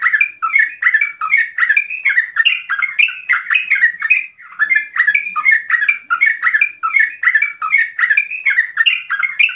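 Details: Wild young sooty-headed bulbul in emotional, agitated ropel singing that provokes rivals to sing along; quick rolling series of gurgling mid-pitched notes, about two or three per second, sustained throughout with no other sounds.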